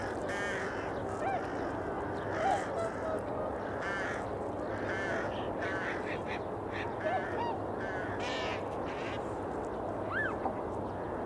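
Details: Eurasian coots recorded in early February at about 8 a.m. give short, nasal, honking calls in scattered bursts over a steady wash of background noise, with other waterbird calls mixed in.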